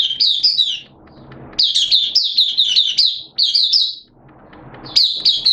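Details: Singing Oriental white-eye, a hobby bird recorded on 11 September 2022 in wet, unsettled weather. Piercing, rapid twitters form short bursts, with quiet gaps carrying soft background noise between phrases.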